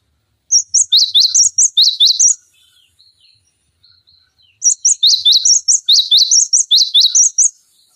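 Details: Cinereous tit in full, lively song, used as a tutor recording to train songbirds such as magpie-robins and green leafbirds. Two bursts of rapid, sharp, high chirps alternate between higher and lower pitch, with a few quiet notes between the bursts.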